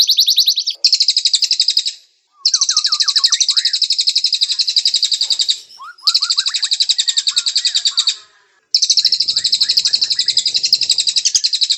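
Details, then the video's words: Clear canary song used to teach white-rumped shamas longer song: four long high rattling trills, each a few seconds long and split by short silences, with faint lower rising chirps during the gaps. "Masteran Murai Batu Kicau Kenari, suara masteran jernih"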